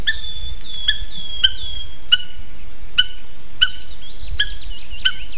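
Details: Adult Eurasian hobby pair at a nest in Latvia's Slītere National Park, 9:06 am, 3 June 2021, captured by a live nest camera. Bright, clipped call notes repeat roughly every 0.7 seconds, with thin trailing whistles late on.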